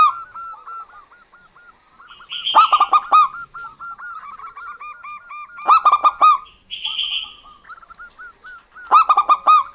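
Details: Female and male local zebra doves answering each other, meant to prompt other birds into song; steady soft coos, higher buzzy phrases, and three loud bursts of four or five ringing staccato notes.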